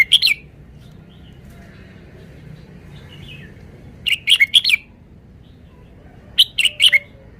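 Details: Red-whiskered bulbul repeating a lively four- or five-note warbled phrase three times, each burst quick and bright, with quiet pauses of a few seconds between them.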